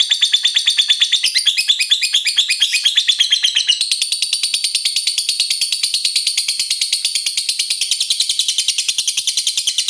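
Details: Lovebird in a 'ngekek panjang' long chattering song, played to urge lovebirds to sing: a rapid, scratchy, high-pitched trill that runs for ten seconds, with a more broken, warbling patch in the first few seconds.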